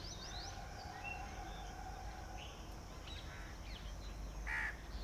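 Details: Red-vented bulbul in its natural garden habitat, giving quick chirps early on, then one loud, clipped note near the end. A steady low rumble of background noise runs throughout.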